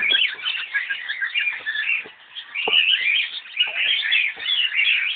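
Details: Cockatiels at Alipore Zoological Garden, Kolkata, India, chatter steadily in a dense stream of high chirps and short whistled notes that overlap throughout.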